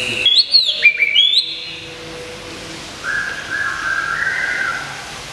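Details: White-rumped shama kept in a cage in Kebumen during its moult, giving bright arching whistled notes in quick succession, then a softer wavering warble against background hiss.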